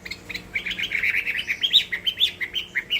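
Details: Competitive song of a Chinese hwamei: a quick busy stream of chattering whistled notes, moderately loud.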